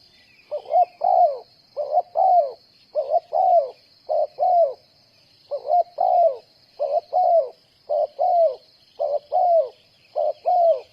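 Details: Decoy spotted dove kept for trapping, calling in a steady run of coos, each a brief clipped note leading into a drawn-out descending one, about once a second, with a constant high buzzing hiss behind.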